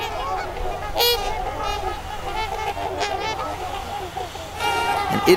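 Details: A couple hundred trumpeter swans in a winter congregation on the Mississippi River, Minnesota, in mid-January at zero degrees. Loud, brassy honks come around the first second and again near the end, over a steady low rumble and distant calling.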